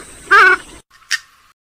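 A swamphen gives one loud, nasal, honking squawk, followed moments later by a short, sharp click. Faint background hiss throughout.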